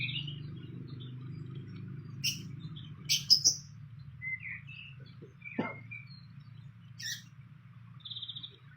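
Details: Fantail at a nest in the wild giving scattered short chirps and high squeaky notes, some clicking ticks between them, over a steady low hum.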